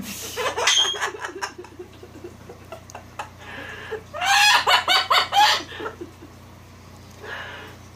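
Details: Pet cockatoo having fun and teasing: scattered clicks and squawks, then a rapid, even run of about seven loud, harsh, laugh-like notes, followed by quieter murmuring sounds indoors.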